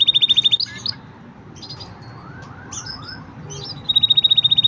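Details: Green canary singing: rapid buzzy trills near the start and end with a few sliding notes and soft chirps between, over low background hum.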